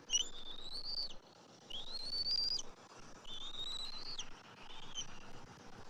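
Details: At a bald eagle nest on a Saturday morning, January 27, 2024, the father arrives with fish to feed the eaglet: three drawn-out, high whistled notes, each rising gradually before cutting off, spaced about a second and a half apart.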